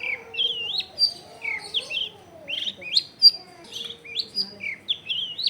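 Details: Long-tailed shrike singing actively, used as a lure to prompt lazy shrikes to sing, recorded at home in a crowded area: varied whistled and slurred notes, some rising, some falling, about every half second, over a faint low hum.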